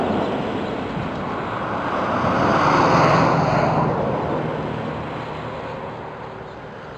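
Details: A vehicle roars past, swelling to a peak midway and fading away, with no animal voice.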